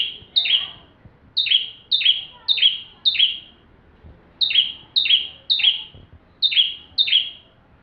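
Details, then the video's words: Energetic bar-winged prinia song used to tutor white-rumped shamas: repeated bursts of piercing high chirps, singly or in runs of up to four, each note a quick downward slur, separated by short pauses. "Burung ciblek tamu fulll gacor cocok untuk masteran murai batu"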